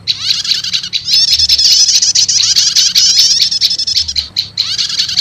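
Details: Prenjak lumut (prinia) combined with prenjak setater, used as a lure to quickly call wild prinias: loud, dense, rapid high chattering and buzzy trills in long bursts with brief gaps, plus a faint low hum.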